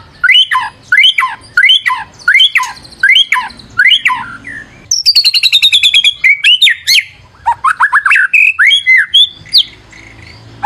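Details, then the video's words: Vigorous white-rumped shama song, a lure recording: loud rising-and-falling whistled phrases repeated about every half second, then a high, buzzy, rapid trill, then a jumble of varied sharp notes. "PANCINGAN MURAI BATU GACOR"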